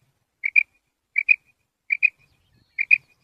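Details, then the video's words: Female quail giving soft, paired high notes, a quick double 'wip-wip' repeated four times at steady intervals of under a second, with nothing else heard; trapped bird used as a hunting call. "Female Quail Voice"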